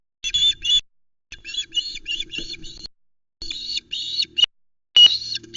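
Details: Female Osprey shouting at the Loch Arkaig nest on 31 August 2020 as the male brings her a whole mackerel. Loud, high, harmonic calls come in quick repeated bursts, with short silent gaps between the series.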